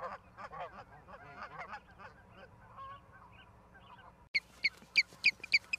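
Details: Ospreys at Charlo, Montana, 09/11/2023 at 16:04. Soft, lower chattering notes come first. After a brief gap, a burst of loud, piercing high chirps follows, repeated several times a second.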